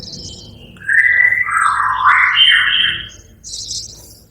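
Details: Brown cililin song from an Indonesian training recording for songbirds: a loud slurred warbling phrase sweeping up and down through middle pitches for about two seconds, then a brief high buzzy burst, over a faint low hum.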